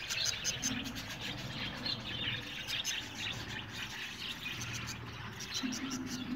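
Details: Budgie colony chatter: many small birds chirping and warbling at once in a high, busy, overlapping chorus over faint low humming.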